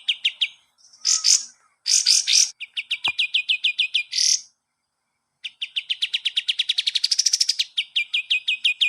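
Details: Training master song of the kapas tembak for cage birds. Sharp repeated notes alternate with raspy bursts, and a single click is heard. A long rapid trill swells upward in pitch and then drops back.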